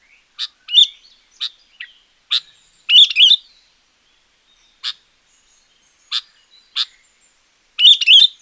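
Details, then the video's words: Champion sooty-headed bulbul song, meant to lure wild bulbuls or train quiet ones: scattered sharp chip notes mixed with a few rich, warbling bursts, irregularly spaced, loud against silence. "Suara Pancingan Burung Kutilang Gacor Juara.Cocok Untuk Masteran Burung Kutilang yang Malas Bunyi."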